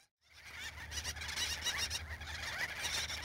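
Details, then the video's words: Wild Gull-billed Terns (Gelochelidon nilotica) at a breeding colony in central Spain, where adults are busily feeding chicks. Dense, overlapping harsh, raspy calls from many birds start after a brief silence and continue over a low rumble. "Gull-billed Tern colony"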